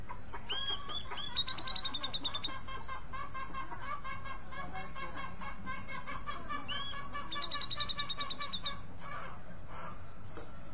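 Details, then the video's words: Grey-cheeked bulbul giving two bursts of song about six seconds apart, each a rising whistled note leading into a rapid, ringing trill of repeated high notes, with lower chattering calls and constant background noise between. "Cucak jenggot mencari teman karaoke"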